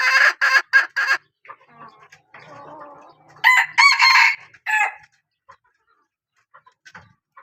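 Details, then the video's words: Hen noted for calling well gives three loud harsh calls, then a low murmuring stretch, then a second burst of four loud calls. Faint scattered ticks follow in quiet. "ตัวเมียสายร้องเกั่ง, poj qaib seev tsauj zoo heev"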